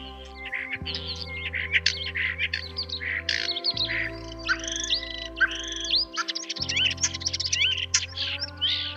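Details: Common starling (Sturnus vulgaris), call.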